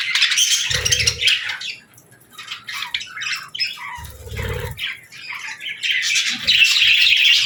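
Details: Feeding-time chatter of baby budgies alongside lovebirds; rapid scratchy chirps at about three per second, interrupted twice by low thudding knocks, ending in a louder stretch of bright twittering.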